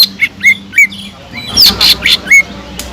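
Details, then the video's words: Greater green leafbird in gacor song with kingfisher-style fill: clear upslurred whistles at a steady pace, then a harsher cluster of shrill, high notes before one final whistle. "PANCINGAN CUCAK IJO GACOR ISIAN ISTIMEWAH TENGKEK UDANG"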